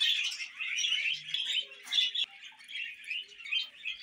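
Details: Steady high twittering from pet budgerigars: scratchy, wavering warbles run unbroken, rising into brief louder pulses about every half second, with a sharp click partway through.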